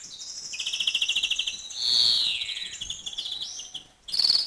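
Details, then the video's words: Male European greenfinch in breeding condition, 2011 season, singing rapid twittering trills that blend into a long wheezy buzz, then resume with bright high chirps. "MACHO DE VERDERON EN CELO"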